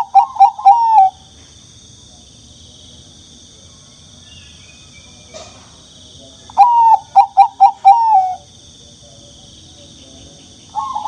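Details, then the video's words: Very young turtle dove calling: short bursts of four or five squeaky, slightly falling notes in quick succession, repeated after a pause, with a faint final burst; a steady high-pitched insect-like hum runs throughout. "Voice of The Turtledove is Very Young"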